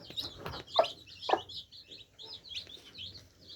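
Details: Several baby chicks chirp while drinking water. They give quick, high peeps with a couple of louder cheeps early on, then softer scattered peeping.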